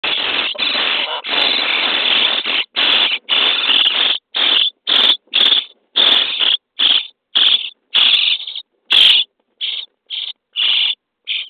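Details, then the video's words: Common starling nestlings in a nest box on day 23, begging while being fed: harsh, raspy hissing bursts, nearly continuous at first, then breaking into shorter rhythmic rasps about twice a second. "Szpaki w budce dzień 23 - karmienie piskląt"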